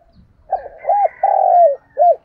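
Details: Spotted dove used as a lure for wild doves gives one full cooing phrase: a soft wavering start, a rounded note, a long sliding coo, then a clipped ending coo. Faint higher chirping sits behind it, with light low rumbling at the start.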